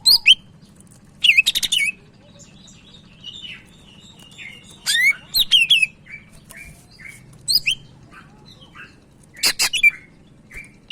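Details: Energetic Sumatran leafbird song meant for training other birds: a busy sequence of crisp chirps, slurred whistles and looping warbles, with softer mimic-like notes between louder bursts and a steady low hum underneath.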